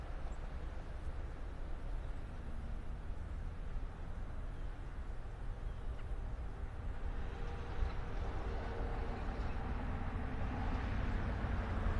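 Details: Steady low rumble of traffic or an engine fills the recording, with no bird or other animal voice standing out.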